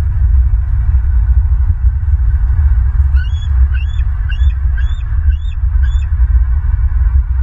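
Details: Bald eagle in Southwest Florida, 27 May 2023 mid-afternoon: a run of six high, thin piping notes about half a second apart, partly masked by strong, steady low wind or hum noise.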